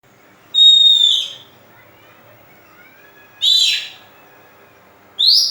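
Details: Oriental magpie-robin song used as a lure to stimulate other birds: three loud whistled phrases with sliding, slurred notes, separated by pauses of about two seconds over quiet background hiss.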